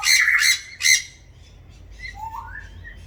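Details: Wild galah cockatoos grazing seeds in a backyard in Australia, where rosellas also come to feed: two or three loud, grating screeches close together, followed by soft, rising whistled notes in a quieter setting.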